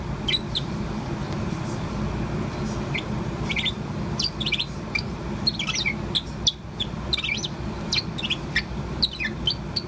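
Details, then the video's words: Bourke's parrot about four months old, a pet bird chirping on and on; scattered thin high chirps, sparse at first then denser in the second half, over constant low rumbling background noise. "Chirp of Poh, the Bourke's Parrot. アキクサインコのポーのさえずり"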